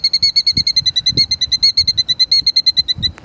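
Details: A female plover defending her nest, agitated, gives a rapid, steady string of clear, high piping notes, about six per second, with faint low thumps of wind underneath.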